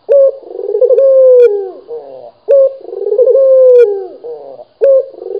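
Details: Vigorous cooing of a local Barbary dove, low and throaty, each phrase a quick accented note then a long trilled coo sinking at its close, heard two and a half times.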